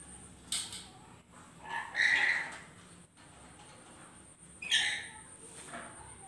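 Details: A pair of lories together, giving harsh, rasping squawks in three separate bursts spread over several seconds, the middle one longest, with quiet gaps and a faint steady high hiss behind.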